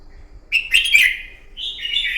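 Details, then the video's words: Red-whiskered bulbul giving fighting song in the morning, played to train a bird: a bright, warbled phrase sliding slightly downward, then a second higher, slurred phrase. "luyện giọng chào mào hót đấu buổi sáng"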